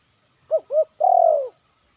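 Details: A young zebra dove in training, heard in a yard as it performs 'batuk' and 'poin'. One clean phrase: two brief rounded coo notes, then a long, steady, purring note sagging slightly at the end.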